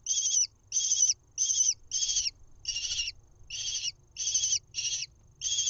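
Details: Lesser kestrel nestling on a nest camera in Israel, 1 June 2021, being fed a mouse: harsh, raspy, high screeches repeated about every half second, nine in a row with short gaps, over a quiet low hum.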